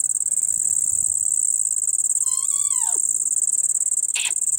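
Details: Baby Indian ringneck parrot giving one long wavering call that slides steeply downward at the end, followed by a short harsh noisy burst, all over a continuous high-pitched buzzing hiss.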